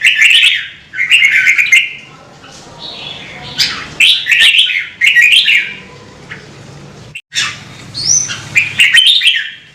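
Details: Red-whiskered bulbul, a Vietnamese songbird, pouring out lively warbled phrases, chattering tumbling notes repeated in clusters with short breaks, one high rising whistle near the end.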